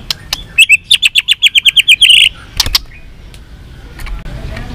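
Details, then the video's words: White-rumped shama delivering a provoking fighting song: a rapid run of about fifteen bright whistled notes over a second and a half, ending in a dense trill, then near silence with faint clicks. "chòe lửa hót líu dụ bổi đấu kích lên lửa hiệu quả.kích chòe lửa hót đấu.kích lửa hót nhiều giọng"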